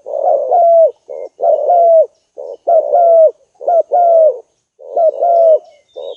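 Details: Lure spotted dove in full voice, whose calling brings rivals in: soft hollow coos in short-long pairs, the longer note slightly falling, repeated steadily about every second, no other sounds.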